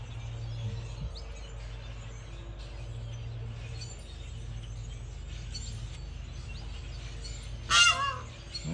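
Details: A female goose gives one loud, brassy honk near the end, calling to her mate to come out, after a long stretch of steady low hum and faint background noise. Finding: goose.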